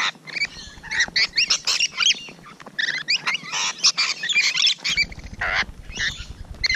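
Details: Rainbow lorikeets at close range on the morning of 12 June 2017, producing a rapid run of shrill, buzzy screeches and chattering squeaks in pulsing bursts.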